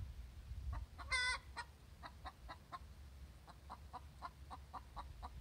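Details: Hen giving her egg song after laying an egg: one loud drawn-out cackle, then a run of short, evenly spaced clucks repeated about three times a second, over steady low background rumble.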